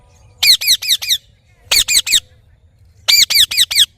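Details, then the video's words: Parrot calling: three loud bursts of harsh, squawky notes, each burst of three to five quick repeated screeches with a chevron-shaped rise and fall, separated by about a second of quiet with low background hum. "Parrot Natural Sounds / Voices"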